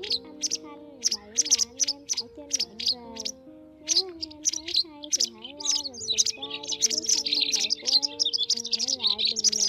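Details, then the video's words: Lure recording of white wagtail for trapping migrants in nets, day or night: high, clipped chirps in quick groups, thickening into a dense chatter near the end, with a gliding melodic music line running underneath. "Tiếng Chìa Vôi Trắng"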